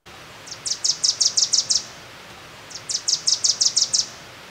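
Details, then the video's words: A Wilson's Warbler sings two quick bursts of about eight sharp, high chattering notes, each run just over a second long. The song is a fast series that can drop in pitch at the end, over faint background hiss. "the Wilson's warbler song is a series of fast notes that can drop in Pitch at the end sounding like Chichi chichi"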